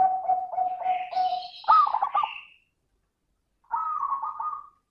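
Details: Zebra dove lure song in the crystal-voice style: a steady pulsing coo ending with a louder bubbling flourish. After a pause a short rolling coo follows. A faint high hiss sits above.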